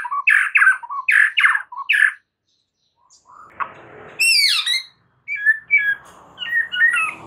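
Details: White-rumped shama master song for training other shamas: a run of harsh, squawky repeated notes, a brief pause, then high rising and falling whistles mixed with scratchy chatter.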